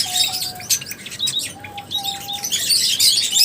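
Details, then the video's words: Rapid high chirps and squeaks from lovebirds, bunched into bursts, alongside drawn-out level whistled tones at lower pitch. "Love birds Singing sounds | Chirping Sounds | 30 mins lovebirds sounds | lovebirds meeting sounds"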